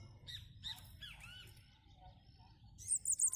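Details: Bananaquit singing a song of the "cangaceiro" style: scattered chirps and short slurred notes, then a loud, very high, sibilant trill of rapid buzzy notes at the end over a low background rumble.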